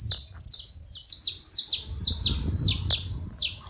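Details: A chorus of several saffron finches: dense, overlapping, very high descending chirps, several per second, loud and continuous throughout.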